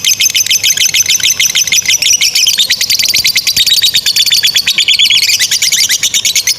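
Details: Two fighter lovebirds in a long 'ngekek panjang' chattering bout, used to teach young or quiet lovebirds: shrill, tightly packed notes pour out without break, the pitch shifting higher partway through.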